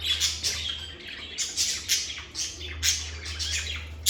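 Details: Lovebirds chattering calmly: short, shrill chirps and squawks repeated every half second or so in uneven bursts, accompanied by a faint low electrical-sounding hum.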